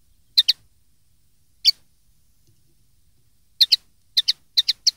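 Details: Common linnet recorded for a 2013 tutoring collection meant for young linnets to copy: sharp, bright doubled chirps, some single, in loose bursts with short silent gaps, on a quiet background.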